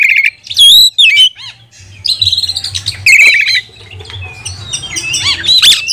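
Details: Oriental magpie-robin singing in a loud, energetic style used to train and provoke other magpie-robins: sharp whistled phrases, rising and falling sweeps and harsh squawky notes in uneven bursts, with a low hum underneath.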